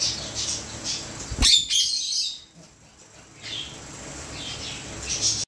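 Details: Indian ringneck parakeet named Kiwi, apparently addressing a cockatiel, gives a burst of sharp, high, scratchy squawks and chirps.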